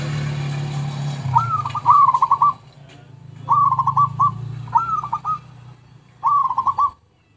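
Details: Zebra dove song used as a lure recording: short bursts of rolling, stuttering coos around a steady mid pitch, grouped in phrases of three to five notes with pauses between, over a low steady hum.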